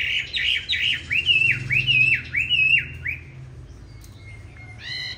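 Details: Competition song of a 'Lục Đậu Thanh' Chinese hwamei, played to teach other hwamei a smooth, non-harsh song: about three seconds of rhythmic repeated swooping whistles, then near quiet with a final short note.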